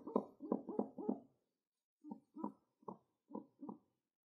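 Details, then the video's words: Pet pigeon making contented sounds while being petted, twitching its wing: a quick series of four low throaty coos, a pause, then five more short coos spaced about half a second apart, in a quiet room. "Happy Pigeon Making Cute Sounds while being Pet"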